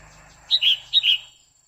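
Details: Female red-whiskered bulbul giving her quých kiu song to stir a male: a sharp high note and a slurred falling whistle, repeated once in quick succession.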